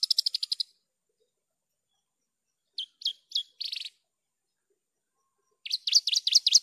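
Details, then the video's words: Javan bush lark in full song, clean recording: a quick run of high buzzy notes, a long silence, a few scattered chirps and a rasp, then a burst of wavering high notes. "PANCINGAN/MASTERAN JERNIH BRANJANGAN GACOR...."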